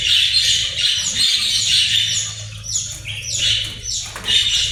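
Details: Australian parrot producing continuous scratchy chatter mixed with short rising and falling squeaky notes, over a steady low hum.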